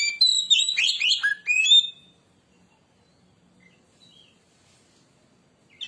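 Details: An Oriental magpie-robin sings persistently to provoke others: a two-second flurry of loud whistles and descending slurred notes, followed by quiet with faint scattered chirps.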